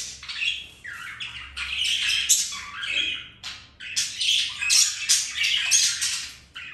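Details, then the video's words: Budgerigars mating, flirting and playing indoors as pets: rapid, harsh squawking chatter, several notes per second, in two long runs split by a brief pause. "Budgies mating , flirting and playing"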